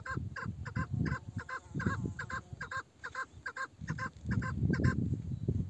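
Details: Old female chukar partridge, described as a female with a male-like voice, giving rapid paired chuckling notes in a steady series throughout, over heavy low rumbling wind or handling noise.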